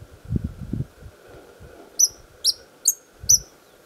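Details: White-vented violetear (Colibri serrirostris) at Chapada Imperial, Federal District, Brazil, singing from its perch to defend the flowers of its territory: four sharp, high, squeaky chips about every half second; low steady hum and low thumps behind.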